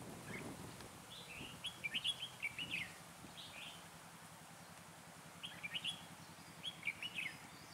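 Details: Red-whiskered bulbul, a lure bird used for trapping in cold 12 to 15 degree weather, sings two bursts of lively warbled phrases several seconds apart, with low rumbling background noise.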